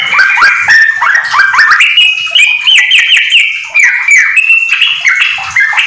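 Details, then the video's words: Yellow-vented bulbul singing hard and continuously, its song filled with white-rumped shama material, used as a tutor for home-kept birds; strings of fast downward-slurred whistles lead into sustained clear tones, dense and unbroken. "trucukan gacor ISIAN MURAI TERBAIK untuk masteran"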